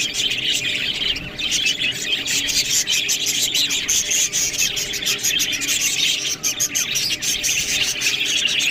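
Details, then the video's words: Budgerigars eating green food make a continuous twittering: rapid high chirps with crisp clicking bursts and a few clearer whistled notes scattered through. "Budgies Food Beautiful Best Green Food Eating"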